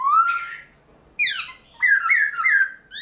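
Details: Dawn song from a caged Black-throated laughingthrush, used to stimulate other laughingthrushes. A long rising whistle, a harsh downward squeal, then a quick series of bright upslurred notes.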